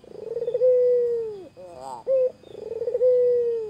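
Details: White Barbary dove cooing while teasing a rival: a stuttering build-up into a long, steady low coo, a brief rising burble, a short coo, then another stuttered lead-in and a long sustained coo.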